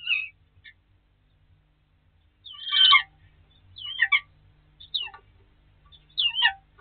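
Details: Starlings quarrel over a nesting place in snow on 22 March 2019: a harsh, crackling burst, then several short, curling whistles with gaps of about a second between them.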